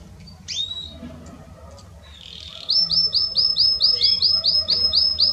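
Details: Belgian canary used to warm up other canaries: a couple of isolated chirps, a quiet pause, then a long run of loud, evenly spaced swooping whistled notes repeated about three times a second.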